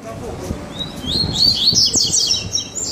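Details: Captive double-collared seedeater in a cage, one of two birds present, giving a rapid high twittering song of buzzy rising and falling notes, with a man talking faintly in the background.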